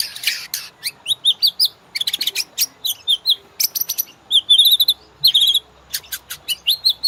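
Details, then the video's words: White-rumped shama master song used to train caged birds and prompt them to sing: loud, varied, high whistles, rapid chirps and buzzy trills in quick, changing phrases over a quiet background. "MASTERAN MURAI BATU; Cocok buat pancingan burung ngorak"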